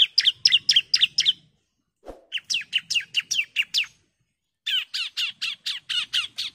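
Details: Female orange-headed thrush calling to a male: bursts of sharp, quick chirps in three groups separated by short pauses, with a brief thud between the first two groups.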